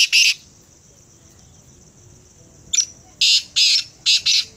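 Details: Black francolin giving a rasping call: a single harsh burst, then a long silence, then a quick run of four grating notes with short gaps between them.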